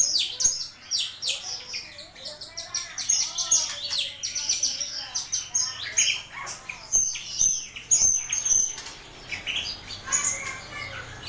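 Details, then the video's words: Master recording of a starling for tutoring other birds: a long, lively medley of crackling, buzzy notes, clicks and piercing whistles, delivered in tight clusters with brief gaps throughout. "Suara Masteran burung jalak"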